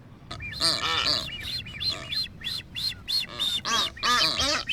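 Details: Blue-footed booby pairs in a courtship dance at their nesting colony on North Seymour Island, Galápagos: a fast run of bright, arching whistles with harsher honking squawks mixed in, about three calls a second, over a low background rumble.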